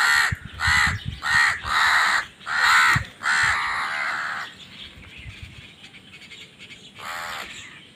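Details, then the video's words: Crow giving a steady series of five harsh, hoarse caws about half a second apart, then a drawn-out final caw, a pause, and one more single caw after a few seconds. "Crow Bird Crowing Sounds"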